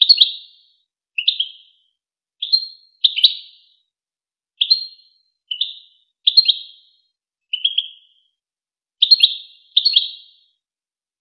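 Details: European goldfinch song used to teach young goldfinches and hybrids: about a dozen short, liquid twittering chirps in an irregular series, roughly one per second, clean and without background noise.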